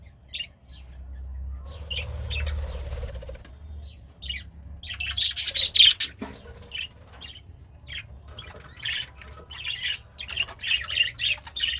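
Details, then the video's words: Pet budgerigar, described as happy and eating greens, utters scattered high chirps and squawky notes, busiest in the middle, over a low background hum. "The Sounds of a Happy Budgie - Chirping, Singing, and Eating Greens"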